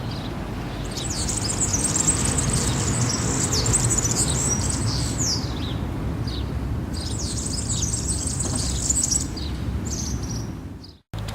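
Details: A European serin sings rapid, high, glassy jingling bursts of several seconds each in a town plaza in Zamudio, Bizkaia, on 7 May 2018, over a steady low rumble of traffic.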